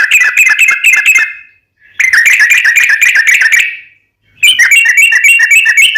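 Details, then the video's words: Sooty-headed bulbul song used for luring: three dense bursts of rapid, buzzy trilled whistles, each lasting about one and a half seconds, split by short silences. "SUARA trucukan gacor RAJA PIKAT tarung ropel panjang"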